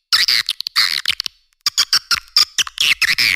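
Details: Lure call of edible-nest swiftlets for swiftlet farming: scratchy twittering bursts, a short silent gap, then sharp chirps and rasping phrases.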